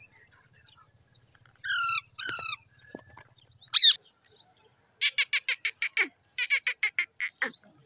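A parrot gives a few short, falling squawks, then a rapid run of harsh, raspy chirps in two bursts, over a steady high-pitched ringing hiss.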